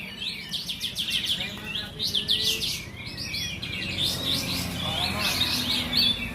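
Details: Kapas tembak bulbuls in a singing contest at Bonjol, Pasaman Timur give fast, high, chattering song in repeated bursts of sharp notes and rising sweeps, heard over low background crowd noise.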